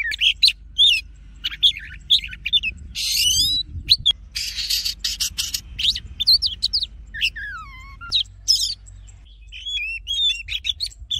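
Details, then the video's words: Wild-style Oriental magpie-robin song used for song training and rousing males: a dense, varied stream of high whistles, buzzy rasps and rapid chirps, with a long descending slurred whistle near the end. "Choè than hót giọng rừng hay nhất Kích Trống Căng Lửa"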